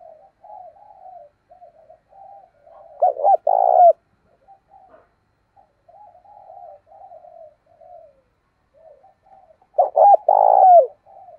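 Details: Spotted dove lure bird, meant to stir wild doves to coo, voice types thổ sấm and thổ bầu; near-continuous soft murmuring coos broken by two loud phrases of stuttered notes and a long throaty coo, seven seconds apart.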